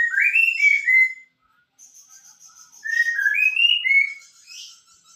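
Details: White-rumped shama singing with its tutor bird in Pemalang: loud, clear whistled phrases sliding up and down, each about a second long, separated by a short pause, with faint high thin notes above.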